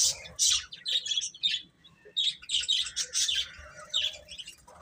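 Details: Several chicks peep in rapid, bright, high chirps, most crowded at the start and around three seconds, with short lulls between.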